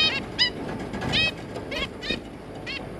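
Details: Zebra finch parents with three juveniles, 3 July 2022: about six short nasal, honking calls with stacked harmonics, spaced roughly half a second apart, over a soft low background hum.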